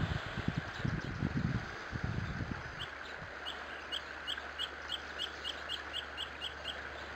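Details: Swallows at their mud nests on a rock face along the Cuyama River by Highway 166, California. Short, high chips repeat about three times a second. Low wind rumble dominates the opening seconds.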